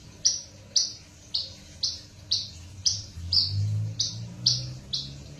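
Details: Bush lark hybrid from Java and parfa parents uttering short high notes about twice a second, with a low rumbling hum rising in the background midway.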